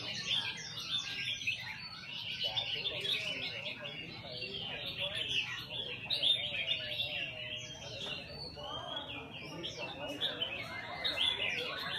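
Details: Caged red-whiskered bulbul in song practice. A busy stream of high, sharp chirps and short whistles fills the whole stretch. Brief wavering voices are audible in the background.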